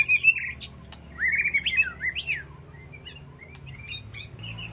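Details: Caged white-rumped shama calling to its flock inside an aviary: a loud warbling burst, then tumbling, rising and falling slurred whistles and softer scattered notes over a constant low hum.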